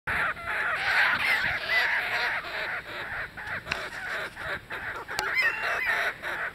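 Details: Kookaburras fighting over a lizard at Carnarvon Gorge give a dense run of harsh, rasping cackles and chuckles, overlapping and rapidly repeated with no steady rhythm, plus a few thin whistled notes.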